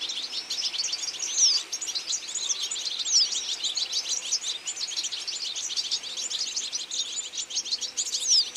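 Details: Autumn goldfinch flock feeding, unbroken high-pitched twittering from many birds, fast tinkling chatter with occasional thin sliding whistles cutting through.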